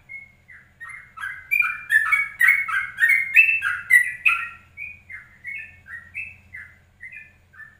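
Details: Yellow-vented bulbul singing at 04:30 in the morning, a ropelan-style lure recording. Soft opening whistles build into a loud bubbling burst, then separate descending whistled notes, over a faint low hum.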